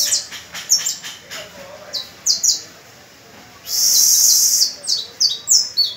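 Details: Caged canary singing on the first of May so young pupil birds can practise and learn; rapid high-pitched chirped notes repeated quickly, broken by a long, loud, even trill, then more quick bright notes.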